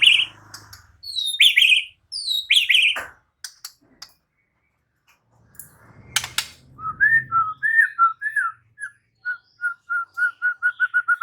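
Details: White-rumped shama answering shama song and unloading its repertoire: a few loud downslurred high whistles, a quiet pause with clicks, then a rapid series of short repeated mid-pitched notes that speeds up toward the end.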